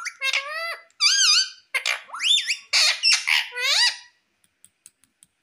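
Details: Pet green ringneck parrot indoors saying "mummy" style phrases: a run of loud, squeaky, wavering syllables with bending tones for about four seconds, then faint clicks.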